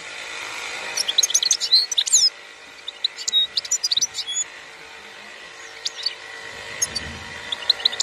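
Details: Singing European goldfinch from an Algerian breeder, 2021. Two bursts of quick tinkling twitters and thin chirps are followed by sparser high notes, with a faint low rumble near the end and a steady hum throughout.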